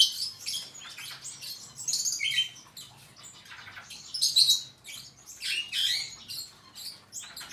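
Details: Superb starling singing a rambling, high chattering song of quick chirps, squeaky notes and short clear whistles, delivered in uneven bursts with brief pauses.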